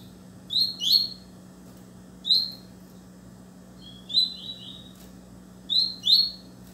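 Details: Double-collared seedeater singing hard at another bird: four short high phrases of clear whistled and slurred notes, each about half a second long, with pauses between them and a steady low electrical hum underneath.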